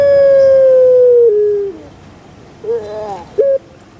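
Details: Long falling held note from a kept Javanese puter pelung dove, stepping down in pitch, then silence and two short rough coos.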